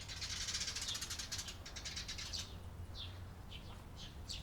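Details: Eurasian tree sparrows recorded on 28 April 2022, giving a dense burst of overlapping high chirps for over two seconds, then a few separate short chirps spaced about half a second apart over a low background rumble.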